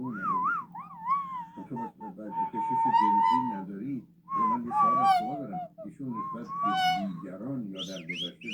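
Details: Yellow-headed amazon talking and whistling in a pet setting: warbling speech-like phrases mixed with bent whistles, a sustained mid-pitched tone, then rising whistled upslurs near the end.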